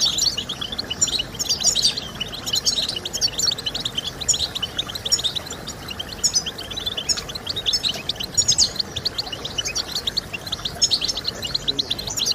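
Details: Long stretch of goldfinch song for encouraging breeding birds to sing, a busy, tinkling stream of fast chirps and twittering trills with bursts of louder phrases over a low hiss.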